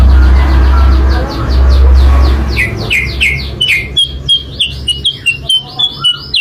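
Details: Sooty-headed bulbul song used as a lure for trapping. A low rumble fills the first seconds, then a fast run of high, arched chirps follows, about four per second and steady to the end.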